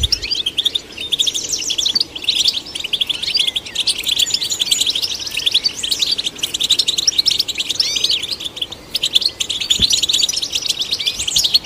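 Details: European goldfinch performing song meant to stimulate caged birds: sustained tinkling twitter mixing clipped notes, rolling trills and upward-sweeping whistles, dense and high throughout, with a faint click near ten seconds.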